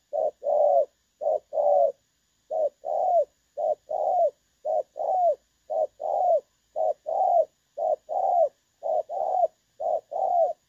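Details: Decoy recording of a spotted dove for trapping, clear 'dong son' call style, dated 16 August 2024: crisp coo phrases repeat roughly once a second, each a quick note then a longer, gently arched coo, on a quiet background.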